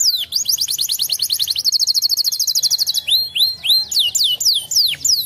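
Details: Canary song used as a lure to prompt other canaries to answer: a quick descending note series, then a long even rattling trill, followed by slower looping whistles that rise and fall.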